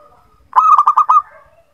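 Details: Zebra dove singing, played as a lure to coax reluctant birds into song: a rapid rolling phrase of five pulsed, even-pitched coo notes packed into about two-thirds of a second, with soft fainter tones before and after.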